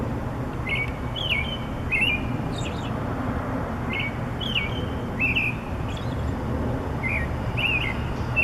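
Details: Bird singing from a wire at dawn: a pretty melody of brief whistled phrases with quick upward and downward slides, spaced every second or so, above constant low road rumble.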